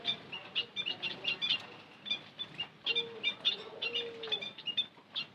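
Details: White-headed munia lure call, bursts of thin high chirps and tweets, a short pause midway, then more chirping over a low, drawn-out coo in the background.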